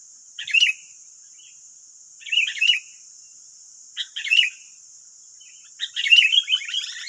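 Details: Sooty-headed bulbuls, wild birds answering a decoy in West Lampung, Indonesia: short chirpy phrases about every two seconds, ending in a longer, lively run of overlapping bubbly notes, above a steady high hiss.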